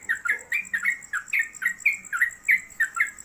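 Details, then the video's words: Yellow-vented bulbul (trucuk) in a home cage singing fast and continuously, ropelan style. Short, twisting, warbled notes repeat several times a second against a faint steady whine. "Trucuk Konslet Kemedol Berdurasi"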